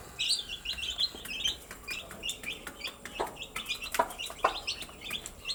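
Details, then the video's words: Cute baby chicks during their day, giving a steady stream of high, thin peeping chirps, several birds at once, with occasional soft knocking and tapping sounds in between. "Cute Baby Chicks with chirping sound"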